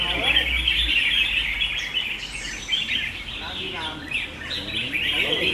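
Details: Competing red-whiskered bulbuls sing in a contest, giving rapid repeated chirps about four per second amid a steady wash of overlapping bird chatter and a brief low rumble at the start.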